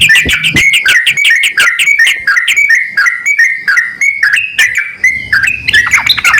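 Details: Male and female yellow-vented bulbul exchanging calls: quick whistled notes at first, slowing into spaced stepped whistles, then ending with a scratchy burst and some low rustling.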